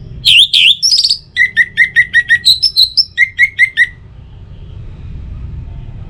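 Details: Lure song of an Orange-headed thrush for morning and evening: two sharp slurred whistles, then a rapid run of short repeated chips, a higher rising pair of notes, and another quick chip series before fading into low hum.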